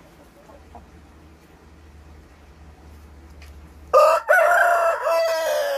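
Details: Korean native chicken, free-range birds just released from their coop to roam: about four quiet seconds of faint background, then a sudden loud harsh crow, strained and wavering, lasting nearly two seconds.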